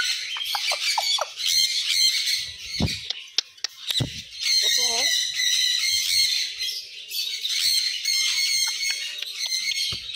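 African grey parrot giving varied squawks, clicks and whistles, some rising and falling, over a steady bright chatter of other birds; a brief spoken word is heard.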